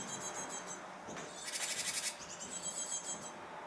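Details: Japanese tit near fledging time, seeming to hold back; a loud, harsh, buzzy burst of rapid pulses high in pitch lasts about half a second, with fainter buzzy rasps before and after.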